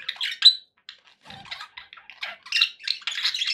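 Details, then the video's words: Happy pet budgies indoors, giving quick scratchy chirps and squeaks in uneven bursts, quieter in the middle and then busier, denser chatter toward the end. "happy budgie sounds"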